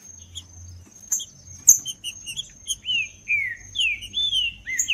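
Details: Green-winged saltator song used to warm up a cold bird: sparse high chirps at first, then a run of loud downward-slurred whistled notes building toward the end.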